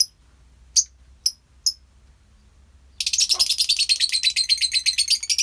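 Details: Colony of lovebirds: a few sharp, isolated high chirps, then a sudden dense, continuous screeching chatter from many birds at once.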